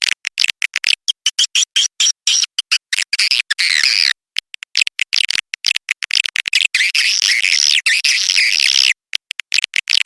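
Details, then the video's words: Swiftlet lure call of the "tombak raja" kind, played for swiftlet houses: fast stuttering high chirps and raspy twitters packed closely for about ten seconds, with a few short breaks. "SUARA WALET TOMBAK RAJA"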